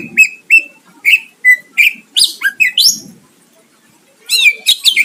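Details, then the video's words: Greater green leafbird song to provoke a rival, clear level whistles repeated about every half second, rising slurred notes, a brief pause, then renewed whistled phrases. "Cucak ijo gacor mancing lawan dijamin Nyahut"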